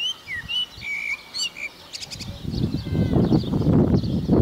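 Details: Common blackbird singing on Chios: a few clear whistled notes and short slurred phrases, then a brief high twitter, soon drowned out by loud rumbling noise.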